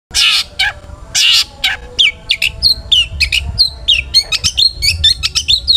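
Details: Long-tailed shrike in full song, meant to get other shrikes singing: two long loud harsh screeches open, followed by a rapid medley of short whistles and chattering, scratchy notes.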